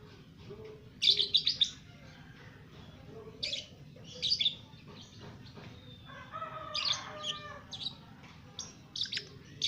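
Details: Two-month-old lovebird in ngekek: irregular bursts of high, scratchy chirps and brief chatter separated by pauses, plus a buzzy layered tone near the end, over a low background rumble.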